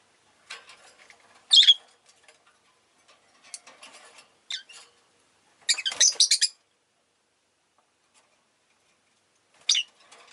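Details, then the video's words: Rosy-faced lovebirds kept as pets, the whole flock calling often that day, make piercing single chirps and a rapid burst of scratchy chatter in the middle, then one last shrill note. "Lovebird Chirping Sounds"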